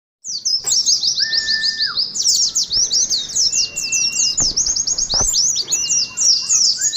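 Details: Oriental white-eye in 'ngalas' contest-style song, meant for playing to a colony of caged birds: rapid high buzzy twittering trills run almost without a break, with a few long, level, lower whistles and faint clicks.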